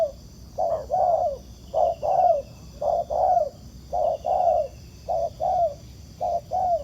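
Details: Spotted dove in the wild, cooing in response to a trapper's decoy bird. It gives low, soft double coos, short then long and falling, roughly once a second, over a high steady drone.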